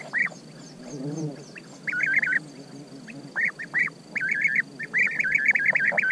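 European bee-eaters give liquid, rolling 'prruip' calls, often in quick runs of three to five, over a steady high insect-like whine and a brief low rumble.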